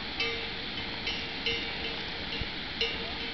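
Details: A roost of several hundred thousand Bramblings at Alto de Barazar, Bizkaia, Spain, makes a dense, continuous wash of high chattering and twittering calls; a few brief, louder notes stand out roughly every second.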